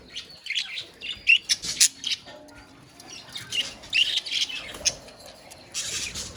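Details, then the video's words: Budgerigars in a colony giving short, sharp chirps and squawky notes in separate bursts, spaced irregularly, with quieter chatter between them. "Budgies Sounds in Colony | Parakeets Sounds in Colony"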